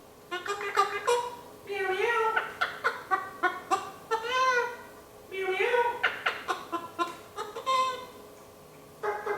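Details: One-year-old male pet eclectus parrot imitating a chicken, giving runs of short clucking pulses between nasal, rising-then-falling honking calls in two bursts, with brief pauses and a quiet indoor background.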